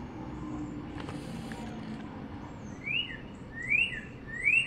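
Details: Spring 2022 northern cardinal on a wire, sunny North Central Florida: a passing vehicle's rumble fills the opening seconds, then three loud rising-falling slurred whistles follow at roughly one-second intervals.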